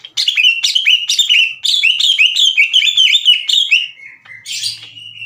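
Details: Green leafbird lure and tutor song for provoking rival birds to sing back: a dense, energetic stream of short slurred whistles and chips repeated in quick succession, ending with a lower note and a burst of scratchy chatter.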